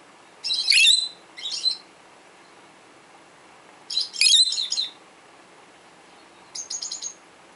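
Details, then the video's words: Twelve-year-old peach-faced lovebird kept as a pet, calling to other lovebirds: three separated bursts of harsh, high chattering chirps several seconds apart, with a person speaking just afterwards. "Lovebird tweets for other Lovebirds"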